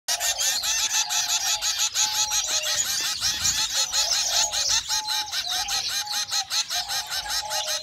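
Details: Hungry zebra finch chicks begging: a dense, harsh chorus of buzzy, raspy calls repeated nearly three times a second, over a steady low whistled tone that rises and falls throughout.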